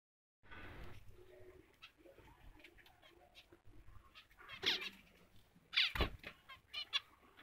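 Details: A white zebra finch, a pet bird, sings buzzy, nasal notes and rapid stacked chirps in short bursts.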